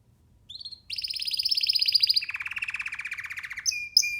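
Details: Young free-flying canary perched on a person's hand, singing: a short high note, then long rapid buzzy trills that drop from high to lower pitch, ending in sharp bright chirps.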